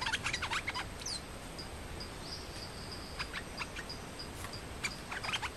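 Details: Nok dok taeng, a Thai songbird, males fighting over territory as a challenger confronts the resident bird. Quick clusters of sharp chirps at the start and end, with drawn-out thin whistled tones between.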